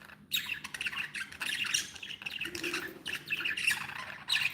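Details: Several pet budgerigars, described as happy, chatter busily in a steady stream of scratchy, buzzy squawks and bright high chirps, overlapping with no pauses.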